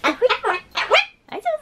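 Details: Pet Ducorps's cockatoo (Cacatua ducorpsii) in everyday talking: a string of short, harsh, voice-like syllables, about five bursts in under two seconds, rising and falling in pitch.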